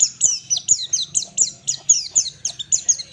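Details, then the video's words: Pleci (white-eye) ngalas song meant for training captive birds: an unbroken series of sharp, very high, descending notes, about four per second, with faint low hum beneath. "pleci full ngalas standar"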